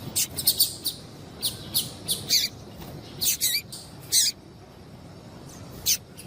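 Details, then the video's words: Female double-collared seedeater, a chirping 'piadeira' calling to stir up males: sharp, high chirps in uneven bursts, some doubled, separated by short pauses, over a faint steady hiss. "Fêmea de papa capim louca piadeira levanta até defunto !"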